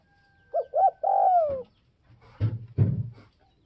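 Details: Spotted dove calling to provoke other doves: two short, soft cooing notes followed by a longer coo that slurs downward, then two dull thuds at the end.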